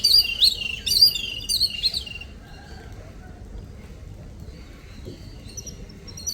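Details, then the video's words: Little birds visiting in the morning give a quick cluster of bright, high chirps for about two seconds. Near-quiet follows, then a few faint twitters near the end over low background noise. "Birds sound/birds sound effects/little birds sound/morning visitors/cute birds/little birds"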